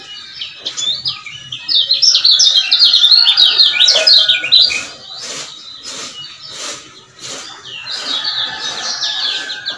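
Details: Male lemon-bellied white-eye of the Lombok type used as a lure to excite other males: bursts of rapid, high, twittering notes sliding up and down, a loud run in the first half, a pause, then a softer flurry near the end.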